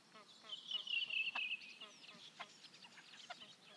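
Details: Great crested grebe recorded at Liepāja, Latvia, in 2023, giving a loud, harsh, banded call lasting about a second, set against a background of short rhythmic clicking and croaking notes from other callers.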